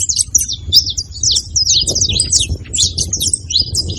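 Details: Several saffron finches noisy together: bright, high chirped notes in quick, jumbled succession, some rising and falling sharply, over a low background hum.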